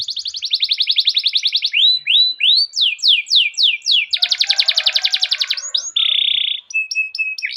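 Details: Long rolling canary song, played as a lure for training canaries: a rapid trill shifts into a series of sweeping downslurred notes, another dense rattling trill, then a short flat buzzy tone and scattered high chips.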